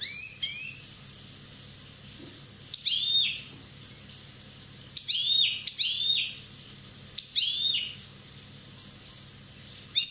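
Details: One-year-old Corsican European goldfinch singing in short bursts of bright, high, tinkling notes with quick upward-sweeping chirps, separated by pauses of one to two seconds over a quiet low hum.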